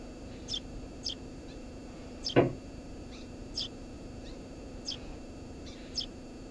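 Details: Eurasian tree sparrow at its nest beneath a house roof gives sparse, high, clipped chirps spaced about half a second to a second apart; one loud dull knock partway through, low hum behind.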